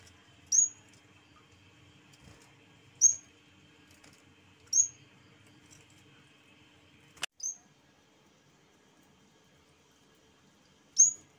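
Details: Yellow-bellied warbler (cikrak bambu) in lively song: scattered very high, thin, quickly falling notes at gaps of two to four seconds, over a steady electrical hum, with a sharp click midway.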